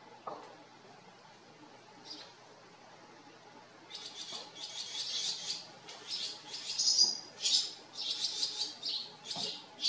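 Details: House sparrows at a farm, quiet at first, then a rapid burst of many chirps crowding together and growing louder over the last six seconds.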